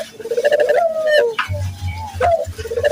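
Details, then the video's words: Short Barbary dove cooing lure for local doves. One long rolling purr falling at its end, then a rising note and the start of another coo, over a low hum. "pancingan burung puter gacor, melatih burung puter lokal agar cepat gacor"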